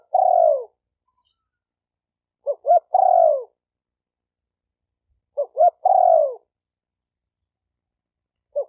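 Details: Repeated spotted dove phrases for training a new decoy bird: two quick short coos, then a long burry downslurred coo, the pattern returning roughly every three seconds over silence.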